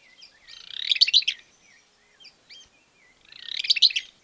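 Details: Greater Wagtail-Tyrant (barullero) in Argentina giving two bursts of fast, chattering notes, each about a second long, with a few soft chips between and no other sounds.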